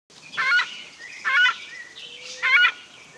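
A Southern Screamer gives three loud, harsh, honking screams about once a second, each a brief ringing blast, over a faint background hiss.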